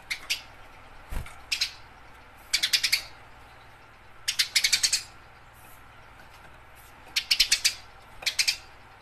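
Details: House sparrow in fighting-style chirping meant to train other birds: clustered rapid, harsh chirp series of four to six notes, with single scattered chirps in between and a brief low thump near the start.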